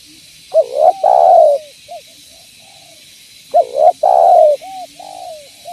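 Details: Spotted dove calling vigorously as a lure for its own kind: two phrases of rising hooked notes, each ending in a loud, long, descending coo with soft trailing notes, over a steady background hiss.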